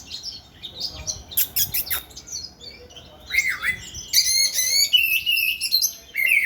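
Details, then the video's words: Oriental magpie-robin dancing as it sings: a lively mix of sharp chirps, buzzy notes and clear sliding whistles, growing louder in its second half. "Chòe than múa hót"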